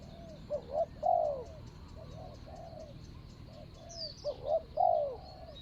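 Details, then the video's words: Decoy spotted dove calling on the ground to lure a good-voiced wild rival, dated 24/01/65 Thai calendar; two clear phrases of soft coos, quick paired notes leading to a drawn-out downslurred coo, with quieter answering coos between. "ต่อนกเขาใหญ่.. ต่อดิน.. เจ้าแบทแมนตามจับตัวหมายคารมดี.. ครับ"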